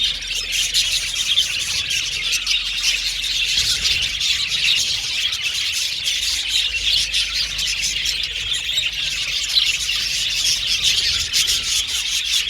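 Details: Budgerigars kept as an aviary colony chatter without pause, a long bright babble of high chirps, warbles and squeaks from numerous birds.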